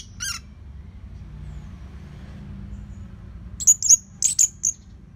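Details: Orange-headed thrush, its song played to train other birds: one brief rasping note, a quiet stretch, then a quick cluster of piercing, thin high whistles with short pauses between them.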